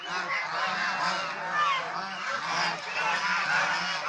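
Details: Domestic swan geese, also called Chinese swan geese, caught in lively group behaviour. Rapid, overlapping trumpeting honks blur into a steady clamour, swelling slightly in rhythmic pulses about every half second.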